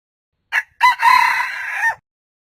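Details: A single crow from a red junglefowl. A clipped first syllable is followed by a gap and then a drawn-out, rasping, steady-pitched note that ends sharply, against a silent background.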